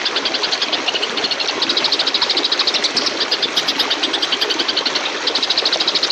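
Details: An Oriental magpie-robin in fighting mode gives a harsh, buzzy, rapidly pulsed chatter of high notes, repeated almost without pause over a steady background hiss.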